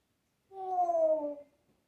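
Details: Pet African grey parrot, indoors, imitating sounds such as a cat, dog, horse, duck, coughing and laughing: a single drawn-out, slightly falling, whiny tone lasting about one second, like a meow, in a quiet room.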